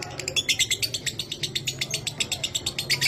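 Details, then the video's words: Rapid, high, pulsing lovebird chatter, a 'minor kering' training recording for pet lovebirds, the notes running steadily at about four per second. "Masteran Suara Lovebird Minor Kering, Terbukti Cepat Cetak DOBELAN"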